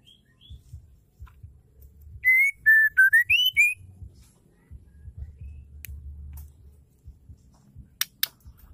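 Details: Female white-rumped shama, her song used to make males sing: a single short phrase of whistled notes dipping and rising, followed by quiet rumbling background and a few sharp clicks.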